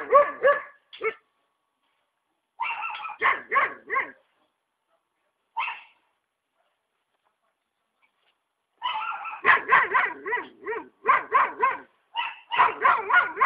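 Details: A free blue macaw at a ranch in Ilha Solteira by the Paraná River gives harsh, grating squawks in quick bursts of several at a time, with short silent pauses between the bursts.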